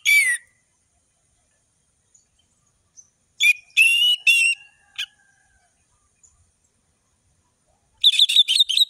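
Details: Varied ngeplong song of an Orange-headed thrush, intended as training song for young thrushes. High phrases come in separate bursts: one at the start, a longer rich warble midway, a single sharp note, then a fast stuttering trill near the end.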